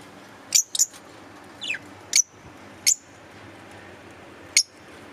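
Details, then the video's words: Caged green Fischer's lovebirds chirping indoors. Isolated, piercing high chirps are spaced irregularly, with a quick pair near the start and a short sliding squeak between them. A low room hum runs throughout. "Cute Love Birds chirping & Sound"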